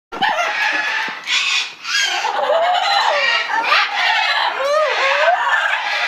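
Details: Pet ruby macaw laughing manically: harsh, raspy bursts of cackling in rapid, uneven pulses with short gaps, loud and continuous throughout.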